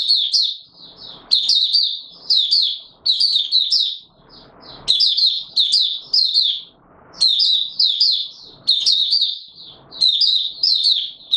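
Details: Warm humid weather, March 2022: a white-eye called Mata Puteh Raja delivers repeated bursts of rapid, squeaky high twitters every second or so, separated by soft rustling.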